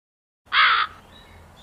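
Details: Crow giving a single loud, harsh caw of about a third of a second, after a short silence, fading into a faint background hiss.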